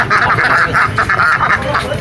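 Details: Ducks at an Indonesian animal market quacking in fast, nasal bursts, about four per second without pause, over a low background rumble.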